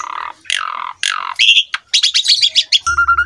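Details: Asian pied starling master song for young birds to copy: three rough, broad squawks, then rapid bright chattering notes, ending with a steady pure whistle over a low electric-like hum.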